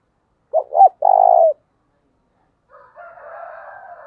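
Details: Spotted dove lure call for wild doves: a pair of short hoots and a drawn, low coo, followed after a pause by faint, wavering, higher calling.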